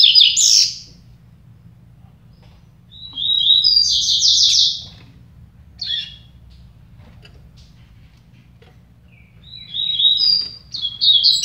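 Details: Double-collared seedeaters dueling in song: several high, fast twittering phrases separated by pauses of a few seconds, each a jumble of sharp chirps and short whistles, with a steady low background hum.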